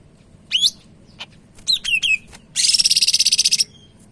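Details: Sumatran leafbird of the Medan type singing actively: high whistled slurred notes, a quick run of three falling chirps, then a dense buzzy rattling trill lasting about a second.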